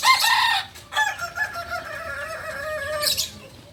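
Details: Beginner Balenggek cock from Solok, West Sumatra: a short bright burst opens, then a long crow glides downward in several steps over about two seconds before a brief noisy ending.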